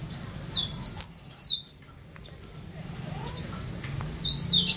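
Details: Tame caged leaf warbler, locally called blereng, tralis, cikrak daun, pare-pare or sirlis, kept singing well, fed on pellets and grubs; high, thin twittering phrases of rapid chirps, a pause, then another high burst.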